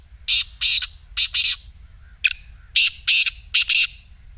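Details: Black francolin voice meant to set a silent partridge calling: two back-to-back phrases of grating, buzzy notes, four then five, delivered in a jerky rhythm with only a short break between them.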